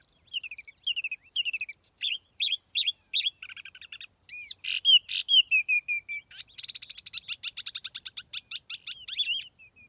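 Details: Laughingthrush lure song without background noise: spaced pairs of downslurred whistles, then louder looping notes, a descending string of whistles, and a fast chattering run of high notes toward the end.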